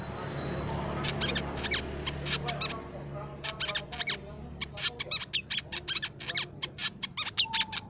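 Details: Crimson sunbird song for luring songbirds: fast high chips and twittering bursts, sparse at first then thickening into a rapid stream, over a low background hum.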